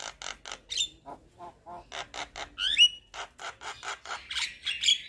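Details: Javan myna, a white-eyed bird, chattering while bobbing its head, used as a lure to set other mynas singing: a run of harsh, rasping bursts about every quarter second, broken by a few sharp whistled notes.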